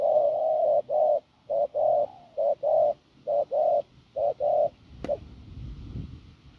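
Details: Field-caught spotted dove with a husky, forceful voice giving low coos: a long note, then four quick short-long pairs at an even pace, ending with a sharp click and faint rustling.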